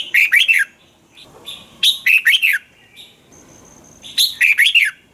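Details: Thai red-whiskered bulbul singing three brisk phrases, each a tight run of four or five ringing, warbled notes that swoop downward. Quiet gaps separate the phrases; a thin steady whine appears briefly. Played to stimulate caged bulbuls.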